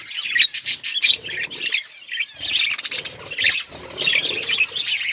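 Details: Chirping budgerigars in colourful plumage: bursts of high chattering warble broken by brief pauses, squeaky twitters and short harsh notes from more than one bird.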